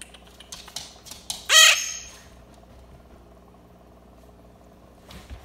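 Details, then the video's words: A pet yellow-collared macaw gives a single loud, harsh squawk, rising then falling, lasting about a quarter second amid quiet clicks and faint household noise. "Yellow collar macaw"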